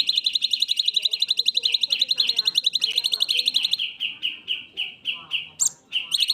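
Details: Black-winged myna in full song, its natural voice in long bursts: a fast, even run of sharp high chirps for about four seconds, then slower, spaced notes falling slightly in pitch, ending in a brief high squeak and renewed chirping.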